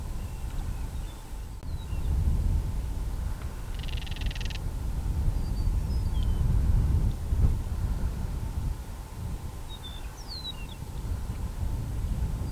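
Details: Northern Crested Caracara, a falcon, in breeding season, recorded with a Canon SX70HS; one harsh, buzzy rattle lasting under a second, over steady wind rumble with scattered thin chirps of small birds.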